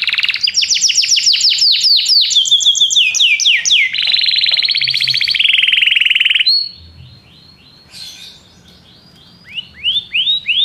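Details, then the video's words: A Belgian canary delivers rapid rolls and trills packed with swept notes, falls quiet for a couple of seconds, then resumes with a few clear upward-curving whistles. "canário belga cantando"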